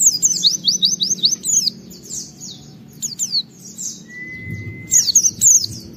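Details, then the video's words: Oriental white-eye performing its fill-in song to coax other white-eyes to sing: a quick run of high slurred chirps, scattered single notes, a brief steady whistle-like tone near the end, then another chirp burst. "Pleci Gacor MUNTAHKAN Isian Memancing Semua Pleci Ikut Gacor Bongkar Materi"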